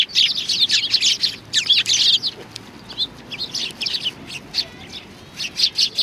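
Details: Sparrows coming for food at a Tenmangu shrine on 25 November 2020; dense, rapid chattering chirps from several birds fill the first two seconds, then continue in looser repeated bursts.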